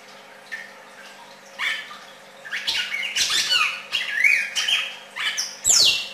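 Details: Singing red-crested cardinal: scattered notes build into a rapid string of varied chirps and slurred whistles, ending with a loud steeply falling whistle, all over a low continuous hum.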